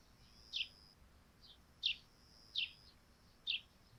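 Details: Sparrow chirps at dawn on a dewy thatched roof: four loud, clipped chirps plus one softer note, about one every second, in otherwise quiet surroundings.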